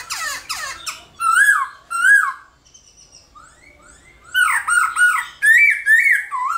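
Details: Black-throated laughingthrush competition song, played in the morning so other laughingthrushes start singing; harsh scratchy notes, then two loud wavering whistles, a quiet gap with soft tones, and a lively run of looping whistled phrases.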